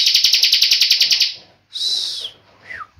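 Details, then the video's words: Tame bar-winged prinia in continuous 'ngebren' song: the tail of a fast pulsed trill fades out, followed by a shorter harsh high burst and a single downward-slurred note. "CIBLEK NGEBREN"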